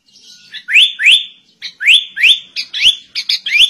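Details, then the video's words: Sooty-headed bulbul singing shama-like phrases: clear upward-sweeping whistles repeated roughly every third of a second, interspersed with short chirps, loud and close. "Kutilang Rasa Murai Batu"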